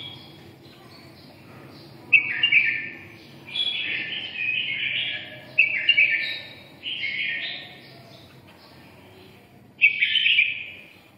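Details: Red-whiskered bulbul singing 'siêu ché': four or five warbled phrases, each opening with a sharp bright note and trailing into a rolling, slightly buzzy flourish, separated by short pauses, the last near ten seconds.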